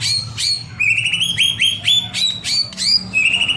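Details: White-rumped shama lure song meant to make other birds respond; sharp descending strokes followed by a quick run of rising, ringing notes repeated about three times a second, with faint low background hum.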